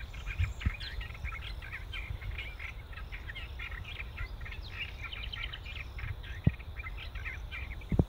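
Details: An Olive-tree warbler sings a steady, low-pitched, harsh chattering stream of grating notes over wind rumble and a few soft knocks; nightingale, chaffinch and Upcher's warbler also sound in the recording.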